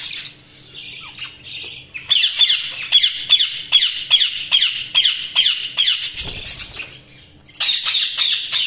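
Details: Budgerigars chirping: rapid scratchy chattering warbles in bursts, a short quiet gap with a dull low thump near the sixth second, then chatter resumes.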